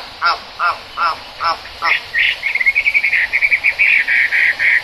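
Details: Chinese hwamei in the rain: a few spaced, lower harsh notes, then a quick, buzzy, chattering series of higher notes.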